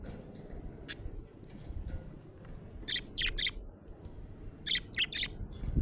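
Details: A happy budgie chirps in quick bursts of three or four bright, high notes, two clusters a couple of seconds apart, with a few isolated tweets before them and a steady low background hum.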